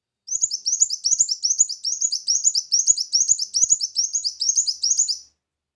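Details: Continuous five-second stream of rapid, thin, high chirps, roughly two notes per second in tight clusters, from a brown-throated sunbird lure recording.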